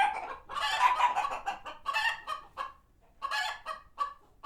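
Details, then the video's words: Flock of sanctuary chickens agitated by a passing hawk; dense raspy cackling at the start fading into spaced clipped clucks, a brief lull, then renewed short bursts of clucking. "Chickens Gone Wild | Farmyard Frenzy |Authentic Clucking Sounds"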